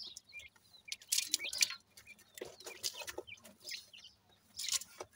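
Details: Grey francolin chicks at play, high thin chirps and peeps scattered among hissy scratching bursts and rustling.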